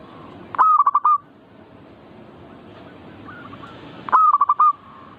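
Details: Zebra dove song meant to excite other perkutut into singing: two separated bursts of fast rolling, bubbling coos over a faint background of distant doves.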